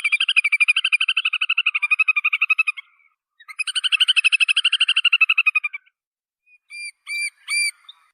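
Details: Little Grebe trilling: two long, rapid, high-pitched pulsed trills, slightly wavering, followed by three separate short ringing notes.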